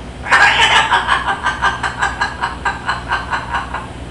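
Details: A pet Severe macaw named Baby gives a harsh burst, then a raspy, human-like laugh of about three 'ha' pulses per second that slowly fades, over a low steady hum; the bird also says "I love you".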